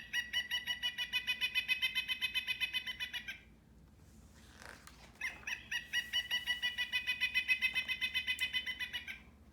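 Pileated woodpecker giving two loud, ringing series of quick, even 'wuk-wuk-wuk' notes, each run lasting about three seconds, with a short noisy pause between them.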